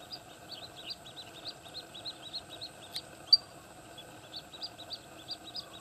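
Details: Paddyfield pipit, resident, in open wetland country at Candaba wetlands, Pampanga, Philippines, on 11 September 2009, giving bursts of short, thin, high chirps, several per second, against a steady background drone.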